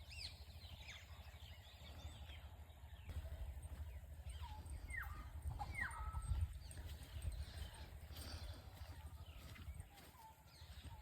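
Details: Village birds in the morning: a few clear whistled notes, some rising and some falling, scattered among quieter chirps, over a low rumble with faint distant thuds.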